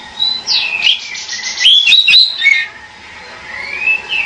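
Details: Pied bushchat singing a busy phrase of bright whistles and twitters, then a quieter stretch with a single long gliding whistle at the end.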